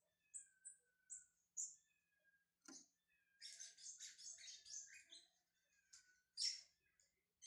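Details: Warming-up song of a brown-plumaged Lined Seedeater: a few separate high whistled notes, then a rushing run of buzzy, scratchy chirps and trills, closing with a loud sharp note.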